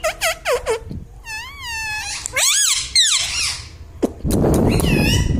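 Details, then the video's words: Pet parrot chattering in a small room: a quick series of short bent syllables, then longer wavering, voice-like calls, closing with a burst of broad rustling noise. "mummy bolta mithu ||papa bolne vala parrot || parrot talking"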